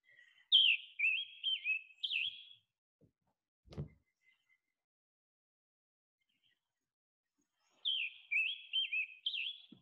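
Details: Scarlet tanager (Piranga olivacea), passing through on spring migration, sings two bursts of short, burry, raspy phrases, quick and robin-like but hoarse, with a single dull thump between them.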